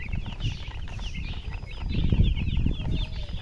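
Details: Baby chicks chirping: a busy chorus of high, short, downward-sliding peeps overlapping rapidly, several birds at once, over a loud low rumble and handling noise.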